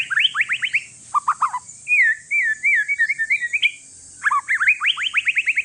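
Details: Loud white-rumped shama song from a one-year-old bird of Aceh forest stock, Indonesia, used to trigger other shamas: quick rising slurs, a twittering warbled passage, then a fast run of sharp rising notes.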